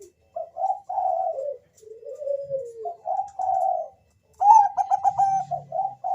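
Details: Lure song from a Bangkok-type zebra dove intended to make other doves sing: mellow level and falling coos, a pause, then a rapid stuttered trill ending in short notes.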